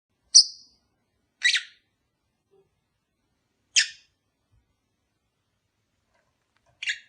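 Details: Pet lovebird pair kept for breeding, calls meant to encourage mating: four short sharp high chirps spaced one to two seconds apart in a quiet room.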